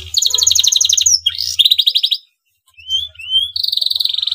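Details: Song of a male canary in breeding condition, meant to get rival canaries singing: high, rapid pulsed trills, a brief silence, then soft upslurred whistles and a steady, fast buzzy roll to finish.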